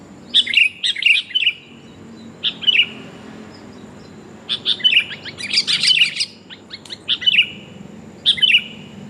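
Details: Sooty-headed bulbul, a female calling to the male, used as a bird lure: short bursts of bright chirping phrases separated by gaps of one to two seconds, some bursts dense and chattering, others a few quick notes.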